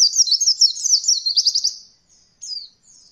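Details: Training song for young white-eyes learning roll: a fast, high chattering trill of quick slurred notes for nearly two seconds, followed by a single short thin note.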